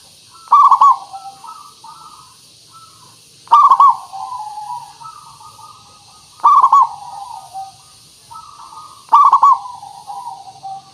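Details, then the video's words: Local perkutut, or zebra dove, singing as a lure to draw replies from other birds: four loud, clipped, stuttering coo phrases about three seconds apart, separated by quieter drawn-out cooing. "Suara Pancingan Burung Perkutut Pikat Paling Bagus Supaya Bunyi"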